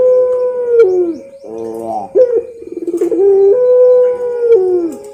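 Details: Ringneck dove of the puter pelung type giving a model song for training other birds: long, drawn-out steady coos alternating with rolling, pulsed purring phrases, repeated in sequence, with no other sounds.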